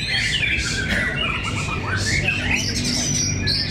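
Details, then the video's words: Contest of fighter white-rumped shamas at Cibinong: loud run of varied whistled notes and harsh squawky bursts, ending in a long sustained high whistle, set against a continuous low background rumble. "Pertarungan sengit murai batu fighter"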